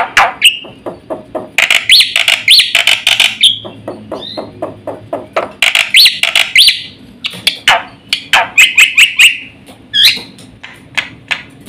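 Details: Black-winged starling giving a fast, varied full song meant to provoke and teach other birds: rapid harsh chatter and clicks mixed with short whistled slurs and grating phrases in quick loud bursts, over a soft low hum.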